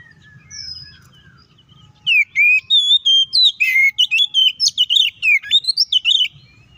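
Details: Oriental magpie-robin singing its fighting song to provoke rivals: faint high notes at first, then from two seconds a loud run of whistled notes that grows into dense, fast twittering.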